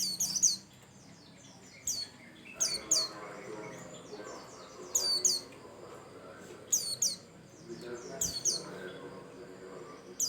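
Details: White-eye of the Bustomi type singing a lure song meant to get other birds singing: high descending whistles in quick pairs, repeated every second or two, over a low murmur of background noise.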